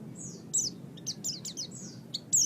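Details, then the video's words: Oriental white-eye singing in a training recording for songbirds: a sparse run of high, thin drawn-out whistles and short sharp chirps separated by short pauses, with a soft low background hum. "Ocehan Burung Pleci"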